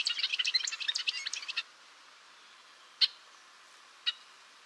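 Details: A burst of rapid high twittering from a golden-rumped euphonia, or gaturamo de cabeça azul, stops abruptly after about one and a half seconds, followed by two isolated sharp chips.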